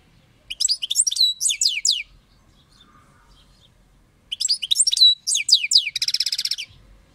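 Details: European goldfinch, a kept bird, delivering two phrases of quick tinkling twitters and slurred chirps, the second ending in a dry buzzy trill; quiet gap between phrases.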